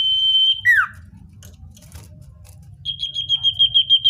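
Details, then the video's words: Common iora singing, natural recording used as a lure for wild birds: a long pure whistle held about half a second, a sharp downslurred note, then after a pause a rapid trill of clear repeated whistled notes. "Suara cipoh/sirtu (natural)||Cocok untuk mikat cipoh/sirtu liar"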